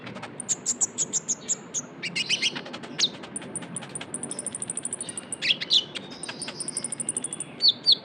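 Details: Young Javan white-eye giving lure calls: long series of high, thin chirps, with fast even runs of piping notes and bursts of sharper, slurred tweets throughout.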